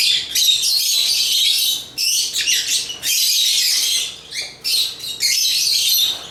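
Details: African lovebirds singing in high, harsh chirps and squeaks, delivered in bursts about a second long with brief pauses.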